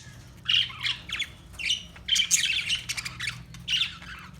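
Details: Parakeets chattering in short squawky bursts, harsh and high, with slurred notes and quick gaps; a low constant hum runs beneath.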